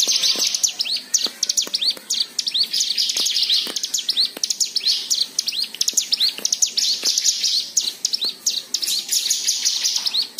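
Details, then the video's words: White-eye song used to prompt other birds to sing: dense, fast twittering of high thin chirps and rapid warbled phrases, nearly continuous with brief pauses, sharp clicks scattered throughout. "Pancingan Cigun Agar Bunyi"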